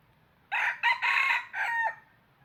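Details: A caged decoy red junglefowl, used to trap wild birds, gives a single crow of about 1.4 seconds. A short opening burst leads into a longer strained middle, then a held final note that breaks downward. The background is quiet.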